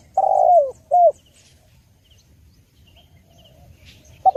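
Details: Spotted dove calling clearly, used for training and luring: a long, hoarse coo sliding downward, then a short arched coo, then quiet before the start of the next note.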